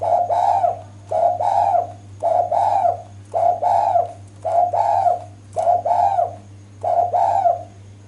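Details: Female spotted dove calling to draw males to answer: short, mellow cooing phrases repeated about once a second, each a quick rising-then-falling coo, over a steady low electrical hum.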